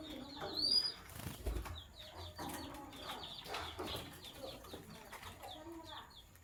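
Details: Sky blue opaline and green opaline lovebirds chirping in the morning, giving quick runs of short, high, squeaky notes with a brief flutter of wings and faint lower chatter behind.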